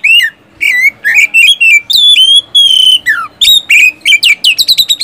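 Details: Oriental magpie-robin singing loud gacor song with siulan and tembakan, used to stir sluggish caged birds; varied whistled slurs, a long steady whistle, then a quick run of short sharp notes at the end.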